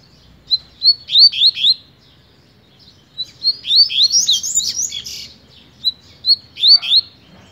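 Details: Double-collared seedeater singing in a fast style: bursts of sweet, sharply rising and falling whistled notes, a rapid jumbled phrase in the middle, then a short closing phrase, with a quiet low background.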